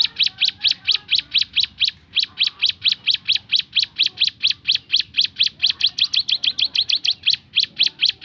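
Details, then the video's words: Javan sunbird 'tembakan' song: bright, high chip notes repeated rapidly and a little unevenly, speeding into closer bursts toward the end. "ciblek gunung bunyi fariasi tembakan"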